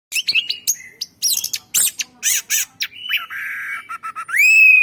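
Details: Orange-headed thrush kept as a forest lure bird: a loud, varied run of sharp chirps, trills and buzzy high phrases, then a steady whistled note and a clear rising whistle that levels off at the end.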